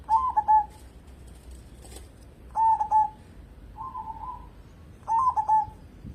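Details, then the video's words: Lively local zebra dove, used to coax other birds into song: three crisp phrases of staccato cooing notes about two and a half seconds apart, a soft purring note between them, and a brief rustle. "burung perkutut lokal gacor cocok buat pancingan"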